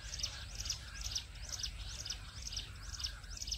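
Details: Jungle bush quail call played to lure birds for trapping in small forest areas. High, sharp chirps come in quick clusters about twice a second, repeated steadily over a low rumbling background.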